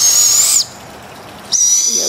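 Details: Young barred owls, four owlets outdoors in a humid yard: two loud, harsh, hissing screeches, each under a second, with a thin whistled tone riding on top, separated by a short quiet gap.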